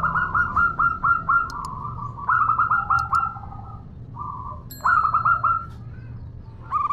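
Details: Calling female zebra dove of a local strain, summoning a male: repeated bursts of fast, rolling cooing notes separated by short pauses, with one brief steady hum between bursts.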